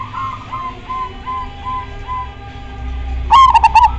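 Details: Zebra dove singing vigorously, its song drawing replies from other doves: a run of soft, evenly spaced coos from a distant bird, then one loud, clear phrase of quick staccato coos near the end.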